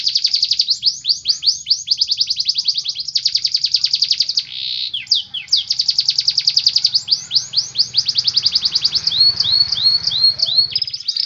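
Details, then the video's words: A canary sings a dense, unbroken song ('lagu rapat') of rapid rolling trills, high and fast, shifting between tours, with brief upswept whistled notes near the end. "Kenari Mesin Tempur | Mewah | lagu rapat"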